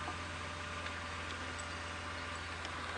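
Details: Low steady engine hum with soft hiss and faint scattered ticks on an early morning safari drive, no clear animal call.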